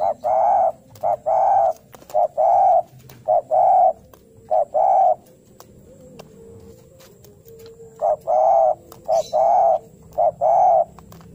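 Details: Fighting-style song of a lively spotted dove seeking a rival, used to prompt other doves to sing: repeated groups of hollow coos, short notes and longer drawn ones, with a pause of about three seconds midway.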